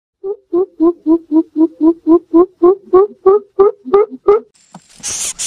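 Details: Greater coucal (Centropus sinensis) calls: a run of about fourteen deep, hollow hoots, roughly three a second, cut off by a brief hissing rush of noise.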